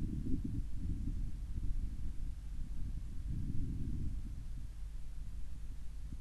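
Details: Only low rumbling wind buffeting the microphone is heard throughout, without any calls.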